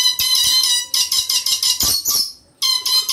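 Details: A Moluccan red lory (Eos bornea) gives harsh, shrill, grating screeches in quick bursts, breaks off briefly, then starts again, with a slight room echo.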